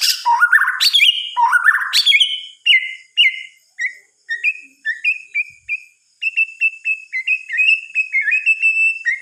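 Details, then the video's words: Night singing of a white-rumped shama: a few loud, sweeping slurred whistles, then a long series of short, clear, evenly pitched notes repeated roughly twice a second with brief gaps. "Suara Kicauan "MURAI BATU" di Malam Hari"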